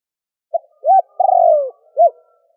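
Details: Spotted dove calling in gù, thúc and gáy gọi styles to stimulate a decoy. A single phrase: a faint short note, a rounded short coo, a long quavering descending coo and a final short note.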